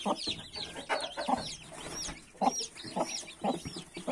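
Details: Mother hen with 31 newly hatched chicks: low, soft clucks repeated about twice a second, over constant high, thin peeping from the chicks, with rising and falling chirps overlapping throughout.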